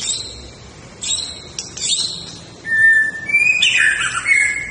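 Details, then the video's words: Fighting-style song of a white-rumped shama: thin, very high notes at first, then a steady mid-pitched whistle followed by a burst of rich, tumbling phrases. "Gaya tarung MURAI BATU SUPER"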